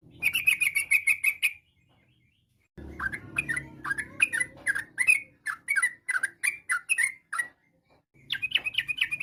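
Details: Lively Yellow-vented bulbul singing to prompt other bulbuls to reply: a quick run of chirps, a pause, then a slower series of separate downslurred notes about twice a second, and another fast run at the end.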